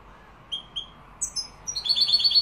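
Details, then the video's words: European goldfinch, Málaga style, Morocco: a few thin, spaced high calls lead into a short, rapid twittering trill. "jilguero malaga maroc. أداء روعة ماشاء الله تغريد كوبيا ملقا"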